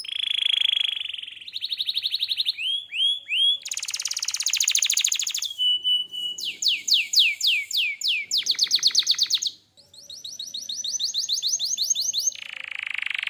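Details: Vigorous canary song built from quick-changing tours: a buzzy tone, rapid high trills, a row of rising whistled slurs, a brief steady whistle, and dense chattering repeats, with only a short pause near the end.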